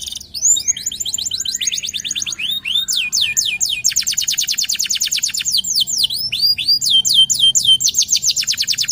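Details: Local canary, a gacor singer, delivering lure song: swooping whistled notes that quicken into fast, even rolling trills, changing phrase every second or two, high-pitched and continuous.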